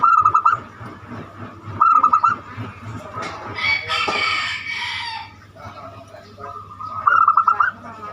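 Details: Zebra dove (perkutut) with a banyumili-style song used to lure other birds into singing. Short rapid pulsed coo bursts open and close the recording. A rooster crows loudly in the middle over a steady low hum.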